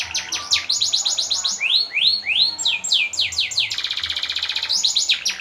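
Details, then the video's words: Canary performing master song for contest training: rapid chirps, rising upward-swept whistles, falling slurs, then a tight, fast rolling trill before chirps return. "Suara Burung Kenari - Cocok untuk Pancingan dan Lomba!"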